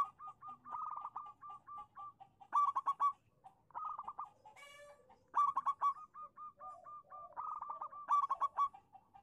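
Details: Local zebra dove singing to draw silent doves into answering: long chains of evenly spaced whistled coos broken by louder rapid stuttering bursts about every two to three seconds, with a brief rustle midway.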